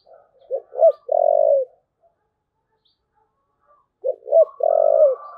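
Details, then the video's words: Spotted dove repeating its 'thúc gù' coo twice, each phrase starting with two brief rising hoots and ending in a long level buzzy coo, with a faint crowing sound overlapping the end. "cu gáy thúc gù"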